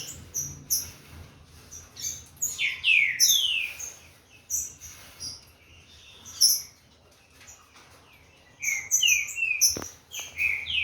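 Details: Captive Green-winged saltator of Corvo x Fogueira lineage warming up. Two bursts of loud, downward-slurred whistled phrases are separated by a quieter stretch of high chirps, with a brief knock near the end.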